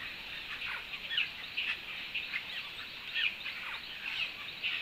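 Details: At a fruit feeder at Canopy Lodge, Panama, on July 17, 2024, a juvenile giant cowbird begs for food from a Chestnut-headed Oropendola in a flock, with high, scratchy chirps and sharper notes about once a second over dense bird chatter.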